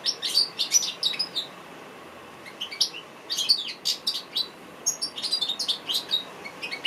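An African goldfinch sings in quick bursts of high, bright twitters and trills, pausing briefly midway before resuming a rapid, chattering run of notes.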